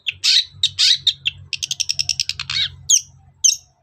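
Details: Long-tailed shrike singing as a provoking lure for other shrikes: harsh scratchy notes, then a rapid rattling series of clipped chatters, ending with two sharp high downslurs, with a faint low hum beneath.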